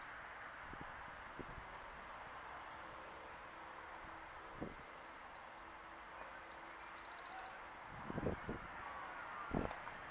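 A blue tit gives one very high, thin phrase: a couple of sharp notes dropping into a quick, buzzy trill. Steady background hiss and a few soft knocks.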